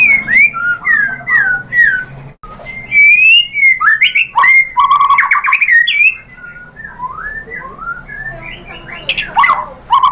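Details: White-rumped shama (murai batu) lure song packed with mimicked material, meant to set other shamas singing. A long, varied flow of whistled slurs, trills and chips, loud and continuous with scattered short pauses.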